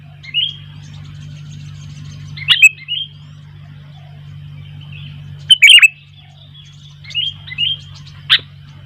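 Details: Sooty-headed bulbul with wild bulbuls joining in: scattered short warbled phrases and a few sharp loud chirps spaced every few seconds, a steady low hum underneath.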